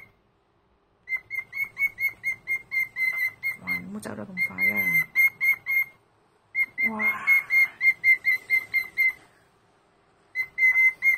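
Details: Senior pet cockatiel whistling on a Sunday morning: a steady run of short, clear whistled notes at one pitch, repeated about twice a second, broken twice by a person speaking and briefly by silence before the whistling resumes.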